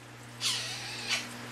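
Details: A male pet Quaker parrot (monk parakeet) says a scratchy, high-pitched two-part "hello", imitating human speech.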